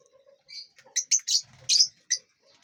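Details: Lovebirds in a large aviary, eating and flying; a quick run of five or six high, sharp chirps packed within about a second, set against near silence with faint rustles.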